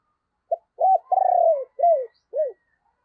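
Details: Decoy spotted dove calling to lure wild birds in the morning. A single five-part coo phrase: a brief hoot, a rounded coo, a long pulsing drawn-out note, then two falling arched hoots. There is silence around it.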